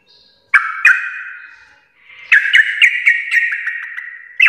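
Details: Sooty-headed bulbul, locally trucuk, singing in the "garuda" style: two sharp opening notes trail into a sustained buzz, then after a short pause a fast run of clipped, repeated chattering notes.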